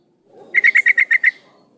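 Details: Female sooty-headed bulbul calling a male, used as a lure for males: one quick burst of seven sharp, even chirps in under a second, then quiet.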